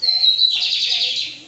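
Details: Lined seedeater (bigodinho) giving a classic song used to train young birds: a high, steady whistled note, then a buzzy, rapidly rattling phrase that fades away.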